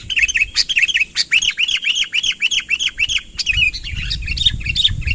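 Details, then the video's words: Sooty-headed bulbul, a real bird with no added filler, calling a rival closer: a steady series of rounded, arching whistled notes about four a second, then more jumbled chirping, with low rumbling noise behind. "suara burung kutilang ASLI tanpa isian, gacor memanggil lawan mendekat"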